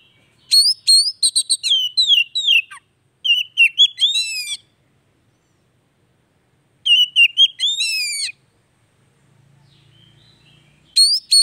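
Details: Oriental magpie-robin delivering varied song, used to restart singing in a silent bird; rapid sequences of sharp chirps and fluty slurred whistles in three long bursts, with a faint low hum during one gap.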